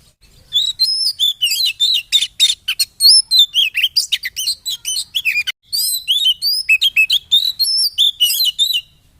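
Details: Provocation song of a white-rumped shama for caged birds: two long bursts of rapid whistled and buzzy notes, sliding and warbled, split by a brief break near the middle.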